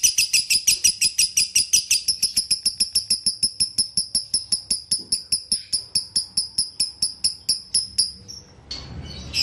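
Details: Lovebird sound for getting a kept bird to sing again: long, even stream of very high, ringing chirps, nearly three per second, gradually thinning before a short noisy rustle.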